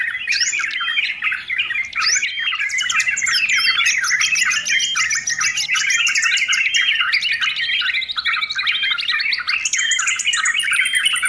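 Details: Sooty-headed bulbul singing loudly in a recording meant for beginners and as a tutor for training birds: busy, unbroken chatter of whistles and chirps, with rising and falling slurred notes and high, thin trills layered over it.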